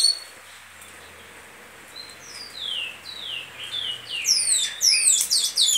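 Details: Goiano liso song of a great-billed seed finch: quiet, sparse falling whistles that swell in the final seconds into a loud, rapid cascade of high sweeping notes over a faint low hum.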